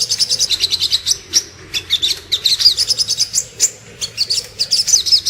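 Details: Master and lure song of the little spiderhunter, known locally as Sogok Ontong, for training songbirds such as murai batu and kacer. Fast strings of sharp, very high chipping notes come in several bursts with brief pauses.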